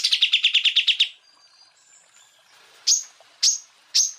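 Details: Greater green leafbird song recording meant to train other birds: a one-second burst of quick repeated chirps, a quiet gap, then three single sharp high notes spaced about half a second apart.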